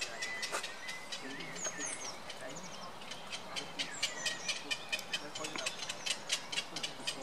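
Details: Black-crowned night heron chicks being fed, giving rapid, harsh, repeated clicking pulses about twice a second, with thin whistled calls of other birds in the background.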